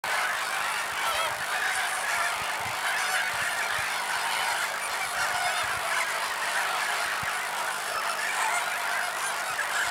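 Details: Lesser flamingos give a dense, unbroken chorus of nasal, goose-like honks and gabbling calls, with brief background speech; a breeding pair with their chick in the foreground, nesting in the Camargue, France.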